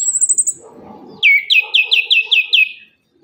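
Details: Orange-headed thrush lure song meant to coax silent caged birds into singing after moult; a thin high trill opens, then a run of seven bright, slurred, descending whistled notes in quick even succession.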